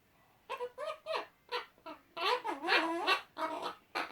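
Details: Two male Eclectus parrots making silly chatting noises: wavering, tonal, warbling syllables with bending pitch, mixed with rougher squeaky notes, delivered in irregular quick bursts.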